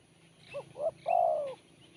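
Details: Spotted dove giving a crisp, sharp song phrase: two quick short coos followed by one long, mellow coo that falls at the end. Soft high chirping is heard in the background.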